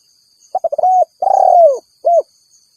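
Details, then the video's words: One full spotted dove phrase calling rivals, used to draw wild birds in. Quick stuttered notes, a level coo, a long coo sliding downward, then a single short coo. Faint insect hum above. "Suara Burung Tekukur Memanggil Lawan"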